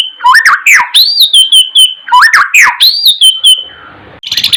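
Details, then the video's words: White-rumped shama singing, meant as tutoring song for other birds and to raise their excitement: two loud whistled phrases mixing swooping notes and bright high tones, then a brief rustle and faint chatter at the end. "Suara,murai batu ,Untuk isian,naikkan Emosi."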